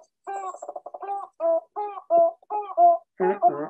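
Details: A lekking Andean cock-of-the-rock, whose call echoes through Ecuador's cloud forest, gives nasal, squawking notes, first a quick stuttering run, then single squawks about every half second, ending in harsher, rasping calls.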